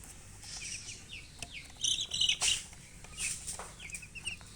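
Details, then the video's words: Baby chicks peep rapidly and repeatedly, with short, high, falling chirps coming in quick runs over soft scratching and rustling noise. "Baby "Chicks Chirping" Sound"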